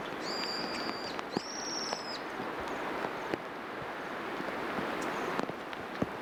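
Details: Two high, thin, bell-like trilled calls from a wild Bohemian waxwing, back to back in the first two seconds. A constant rushing noise and a few faint clicks fill the rest.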